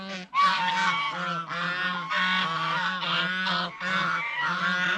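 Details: Geese eating bread and fresh vegetables at a fish pond, giving loud, nasal, buzzy honks in long runs with brief breaks, the calls overlapping almost continuously.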